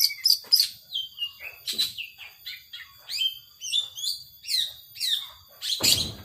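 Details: Caged long-tailed shrike delivering a 'power sobek' style song. Bursts of high, slurred chirps and harsh scratchy notes come in quick phrases, with short pauses between them, ending in a brief loud rustling noise.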